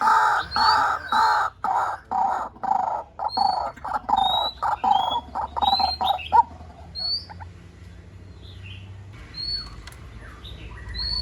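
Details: White-breasted waterhen calling on a lure recording: loud, rough, croaking notes repeated rapidly for about six seconds, then fading out, leaving faint high chirps from other birds against a quiet background.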